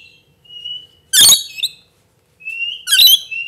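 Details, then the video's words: A lorikeet gives thin, high whistles, each followed by a harsh, grating screech, two rounds in a few seconds. "crazy lorikeet"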